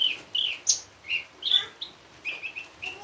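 Javan bush lark singing a rapid string of short, bright chirps and slurred whistles, varied and tumbling, with little else heard.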